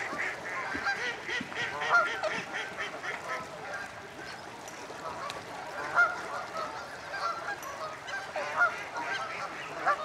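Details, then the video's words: Starlings gathering to roost at Slimbridge Wildfowl Trust, Gloucestershire, UK, a continuous wash of chattering, clicking and squeaky notes from many birds, with occasional louder peaks and honking waterfowl among them. "Slarlings roosting"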